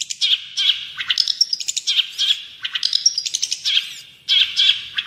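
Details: Long-tailed shrike song recorded as a training and lure track: rapid scratchy chatter mixed with thin whistles, delivered in clustered phrases separated by short gaps.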